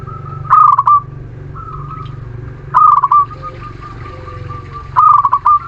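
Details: Local Muria zebra dove song played to stimulate reluctant doves: three stuttering, purring coo phrases, each followed by a brief level tone, spaced roughly two seconds apart over a constant low rumble.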